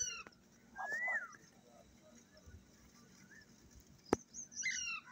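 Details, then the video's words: Ringneck parrots, a male, female and young bird, in a cheerful morning mood: a rising-then-falling squawk, a faint chirp, a sharp click, then a cluster of harsh layered squawks near the end. "green parrot male female and baby parrot happy at Morning talking"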